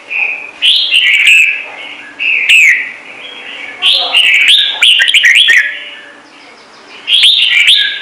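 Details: Trung Mang red-whiskered bulbul giving its standard song, said to set newly caught birds singing: bright, fluttering whistled phrases in four loud bursts separated by softer warbling and brief pauses.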